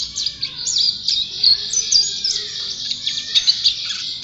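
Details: White-eye of champion standard, singing in gacor style, gives a bright, hurried jumble of high chirps, buzzes and short trills in an unbroken flow over a low background murmur.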